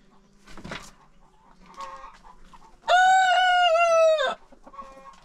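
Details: On a chicken farm, a rooster crows during the informal contest held every day after breakfast: one loud, steady crow of about one and a half seconds, with faint hen clucking and soft calls before and after.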